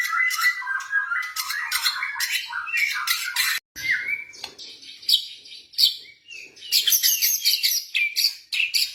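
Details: Blorok white-rumped shama, a kept songbird, giving song meant to stimulate other birds: rapid rich phrases of whistles and harsh rasping notes, a short gap midway, then scratchy bursts with clear high whistles.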